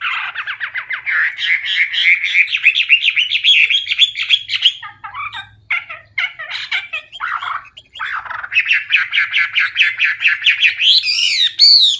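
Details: Hwamei with a loud, clear voice singing its full filler repertoire: rapid, chattering trills, a stretch of scattered harsh notes, then more fast, rattling phrases ending in a high, arching whistle.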